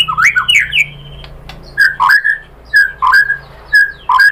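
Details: White-rumped shama giving fluty whistled notes, quick falling phrases first, then spaced mellow whistles about once a second, with faint low hum behind.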